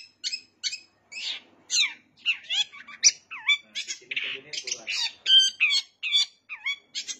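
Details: Long-tailed shrike singing energetically, its song stuffed with bar-winged prinia imitation. A varied medley of scratchy chatters, downslurred whistles and squeaky notes is delivered in uneven bursts.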